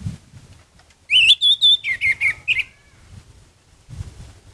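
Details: Orange-headed thrush singing vigorously: a burst of loud, clear whistled notes sliding and wavering high, then a string of shorter, slightly lower slurred phrases, ending in a quick upward flick, over a low background rumble.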